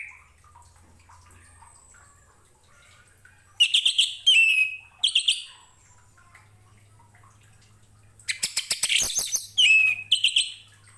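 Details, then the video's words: Orange-headed thrush song, used as a master recording for training other cage birds; two loud bursts of mixed harsh chattering and high whistled notes, separated by several seconds of quiet with a faint low hum. "KICAU ANIS MERAH"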